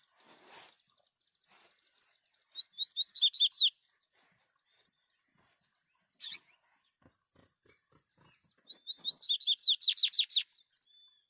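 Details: Double-collared seedeaters, males and females, singing free in the wild, recorded on a phone: two bursts of rapid, high, clear slurred notes, each a run of about eight quick descending sweeps, separated by quiet with a few faint clicks and rustles.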